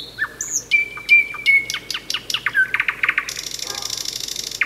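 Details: Common Nightingale, the main night singer of May, singing in a village: loud whistled notes, a run of short downward-sweeping strokes, a quick rattle of clicks, then a dense buzzy burst.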